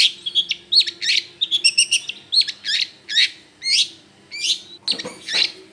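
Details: Long-tailed shrike song used as a lure to attract birds: a lively, varied run of sharp, high chirps and short whistled notes, several phrases repeated in quick bursts, ending in a harsher, scratchy note.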